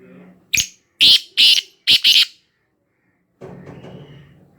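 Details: Black francolin calling at Khushab: a sharp clipped first note, then two drawn-out rasping syllables and a quick grating pair, all harsh and loud, followed by silence and then a low rumbling background noise.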